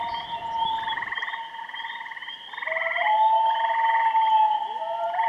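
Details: At Kennebec, common loons mix steady whistled wails with repeated rapid, quavering tremolos about a second each, overlapping continuously; low rumble in the first second.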